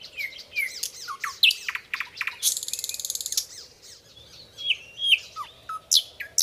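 Nightingale song, a rich, fast-changing run of clear whistles, sharp chips and rising and falling notes, with a loud, rapid, buzzy trill near the middle.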